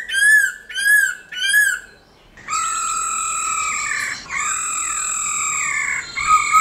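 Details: Black-throated laughingthrush singing forest-style to stimulate caged birds: three arched whistled notes spaced under a second apart, a pause, then long steady harmonic whistles.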